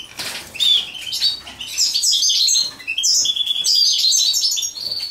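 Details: European goldfinch mating, a soft rustle at the start, then a high chattering song of tinkling notes and short trills rising in volume and continuing in quick phrases.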